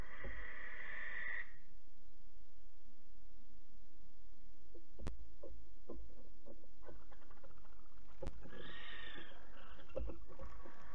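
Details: At Alphen late on 8 August 2019, barn owl juveniles around 12 weeks old are chased off by their parents reclaiming the box; a raspy hissing screech opens, followed by scattered knocks and a shorter, fainter hiss.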